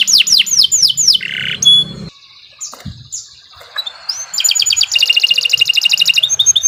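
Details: Lure recording of a canary for training birds: fast descending whistled sweeps, a buzzy burst, a brief near-silent pause with scattered notes, then a dense rapid rattling trill.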